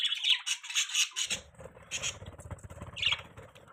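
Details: Budgerigars chirping indoors: quick bursts of shrill, scratchy high chirps, then a lull filled with soft low rustling and a final sharp chirp.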